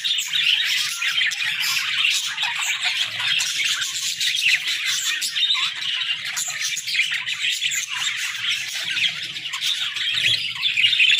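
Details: Pet budgies at morning time keep up a continuous bright chorus of overlapping chirps and warbling twitters, busy and unbroken from start to end.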